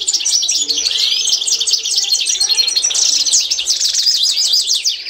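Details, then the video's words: European goldfinch, Constantine style, singing a training song: continuous bright twittering with fast rattling trills and a few rising slurs, rich and unbroken for the whole stretch. "تتعلم مع الحسون القسنطيني الاصيل"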